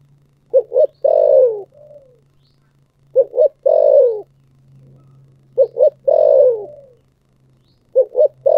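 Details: Spotted dove repeating its thổ sấm-style coo four times, about every two and a half seconds. Two clipped hoots lead into a long falling note with a soft tail, over a steady low hum.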